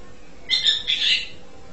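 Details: Asian pied starling uttering a single short harsh, squawky double note, somewhat faint against a steady low background hiss.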